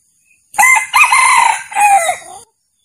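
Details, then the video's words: Crow of a male junglefowl, a call used to lure roosters into a trap: a loud, raspy three-part crow lasting nearly two seconds, the middle part held longest and the last part sliding downward. "Suara Piket Ayam‌ Hutan Jantan"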